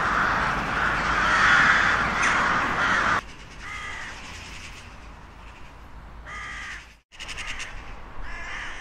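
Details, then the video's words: Crows in a loud massed cawing chorus that suddenly cuts to quieter single rasping caws, some repeated in short groups, after a brief break. "Sunete de ciori. Sunete de pasare cioara."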